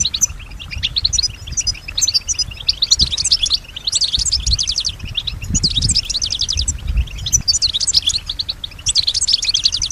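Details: Singing European goldfinch, kept as a pet, said to imitate surrounding sounds such as other birds: bursts of fast twittering and buzzy trills, repeated in phrases about a second long with short pauses, over low rumbling background noise.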